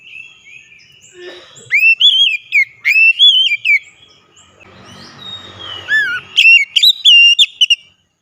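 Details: Oriental magpie-robin's loud, ringing song as a lure for a bird that won't sing: repeated whistled phrases with rising and dipping slurs, a break of low rumbling noise, then another bright burst.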